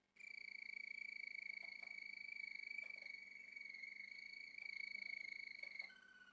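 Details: Male Malinois Waterslager canary delivering a sustained, rapid, rolling trill at one steady high pitch for nearly six seconds. Soft clicks are heard now and then, and the trill ends with a short lower note.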